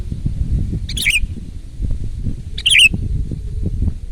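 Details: Energetic sooty-headed bulbul song with two brief bubbly phrases of tumbling liquid notes about one and a half seconds apart, over soft low background noise.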